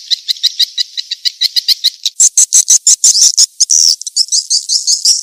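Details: Edible-nest swiftlet calling, a sound used to attract swiftlets. Rapid, even high chips about three per second give way to louder, buzzier twittering notes, then a fast shrill chatter.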